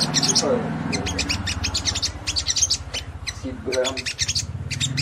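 Olive-backed Sunbird giving rapid, high, thin chirps and twittering trills in quick bursts, with a voice talking in the background.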